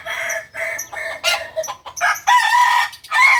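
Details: Crowing of a kukuak balenggek cock, the singing chicken of Solok in West Sumatra: loud, bright, segmented phrases repeated in quick bursts, each syllable rich in stacked harmonics, with brief gaps between, ending in a long sustained crow note.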